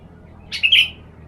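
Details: Sooty-headed bulbul (kutilang) sunned for therapy and used to lure other birds; a loud brief phrase of two or three slurred whistled notes.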